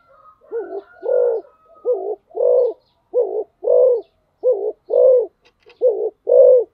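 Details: Spotted dove giving fast-paced 'thúc gù' cooing: about five quick pairs of low, hollow coos, each short note followed by a longer rounded one, repeated steadily with brief gaps.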